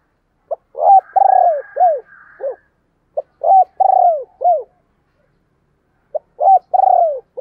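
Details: Repeated spotted dove coo phrases, thúc and gáy gọi calling: three series of a brief note, a hoot, a long falling coo and a short arched coo, separated by pauses of about a second.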